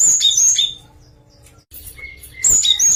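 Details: Java sparrow singing variations: bursts of high, bright chirps and twittering notes open and close the passage, with a quiet gap and a brief thin whistled note in between.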